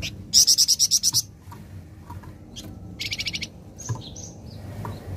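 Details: Flameback responding immediately once a recording is played: one loud, fast rattle of about eight high, clipped notes, then a softer, lower rattle of six notes, with faint high chirps and low rumble behind.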